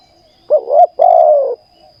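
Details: Single song phrase of a spotted dove at a ground trapping spot: a brief rising-and-falling double coo followed by a sustained, gently descending croo lasting about half a second.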